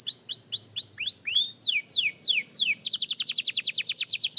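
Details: Young canary practising: a string of high, rising then falling whistled arcs, a few longer descending slurs, then a rapid, bright trill of evenly spaced notes.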